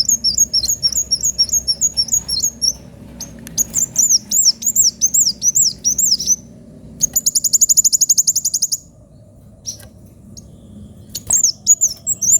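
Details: Kolibri wulung sunbird in lively, spirited song: very high, sharp rising-and-falling chirps in rapid runs, a fast buzzy trill near the middle, brief pauses between phrases, over a faint low hum.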